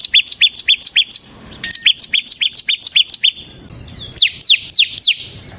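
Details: Bar-winged prinia in ngebren song, kept as a lure and master for training other birds. Quick bursts of sharp high chirps come in series, and the final notes are longer downward-sweeping whistles.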